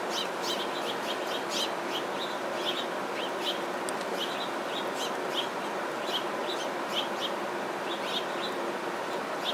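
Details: House finches at a bird feeder, described as tense and always chirpy, give short, bright chirps, scattered irregularly and sometimes in quick pairs, over a steady background rumble.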